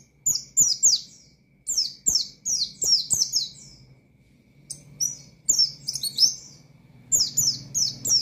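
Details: Oriental white-eye (pleci) singing hard in wild-style 'ngalas nembak' fashion to call out rivals and rouse untrained birds: bursts of high, sharp downslurred chirps in rapid runs, with pauses between phrases, over a faint low hum.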